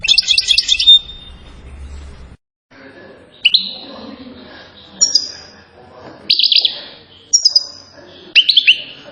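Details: European goldfinch from Settat, Morocco, known for silsila-style singing: a short trilled burst, then scattered brief chirps and rising twitters spaced a second or so apart over a low background murmur.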